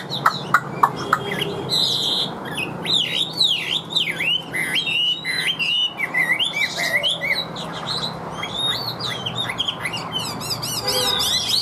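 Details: Caged Chinese hwamei singing without pause in an even voice: a few sharp ticks, a buzzy burst, then long series of deep, looping V-shaped whistles and rapid varied phrases.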